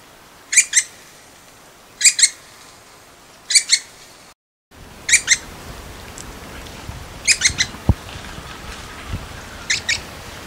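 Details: Little woodpecker calling in short clusters of two or three sharp, scratchy notes, repeated roughly every one and a half seconds, with a brief gap midway and faint background hiss.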